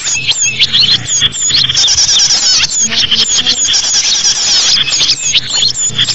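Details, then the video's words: Small birds calling in a thick flock chorus, intended to lure small birds: fast irregular high chirps, about three per second from the loudest callers, over continuous squeaky chatter. "SUARA BURUNG UNTUK PIKAT BURUNG KECIL"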